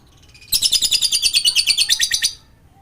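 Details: Lovebird used as a lure to prompt silent lovebirds to sing: one high, rapid chattering trill of about seventeen fast pulses lasting nearly two seconds, then quiet.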